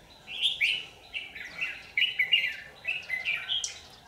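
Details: Lure red-whiskered bulbul at a trap, 27 January 2019: a run of quick, bright, slurred whistled notes delivered in a steady chattering string.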